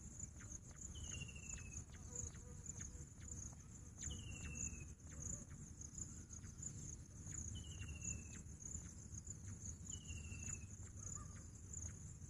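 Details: Bush quail, called Pahadi Bater, repeating a brief downward-sliding whistle roughly every three seconds. A persistent insect buzz and soft clicks run underneath, with a low murmur late on.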